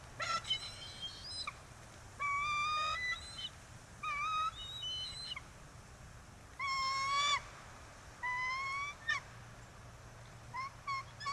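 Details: Bald eagle at a nest in Kisatchie National Forest with a newly laid first egg, 9 December 2023: a series of high, piping chitter bursts and rising squeals spread over eleven seconds, against a steady background hiss.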